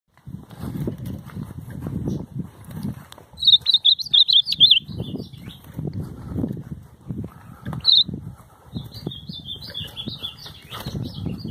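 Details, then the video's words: Ultramarine grosbeak used as a tutor bird on a countryside outing, singing short bursts of high warbled notes in three phrases, with a brief note in between, over low rumbling wind and handling noise. "Campeada com o Azulão Professor"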